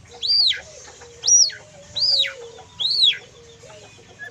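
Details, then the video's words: Young white-rumped shama, just out of spotted juvenile plumage, in kriwikan song. Four loud arched whistles rise sharply and fall away, each spaced about a second apart, over a steady low background hum. "MURAI LEPAS TROTOL FULL KRIWIKAN"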